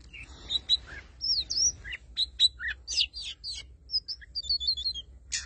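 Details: Oriental magpie-robin lure bird in full song: a scratchy opening, then looping whistled phrases and clipped chips that end in a string of quick bright repeated whistles. A low steady hum runs in the background.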